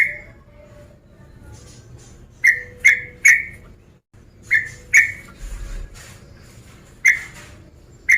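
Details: Male sooty-headed bulbul calling out to a rival, provocative calling: short, bright chirps in quick pairs and triplets, roughly eight in all, separated by quiet gaps, with a soft low rumble behind.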